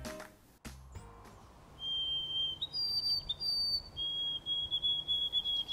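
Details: A White-throated Sparrow sings clear, pure whistles: a steady held note, then a higher note, then a run of slightly wavering repeated notes at a lower pitch. A sharp click comes early, and the background is otherwise quiet.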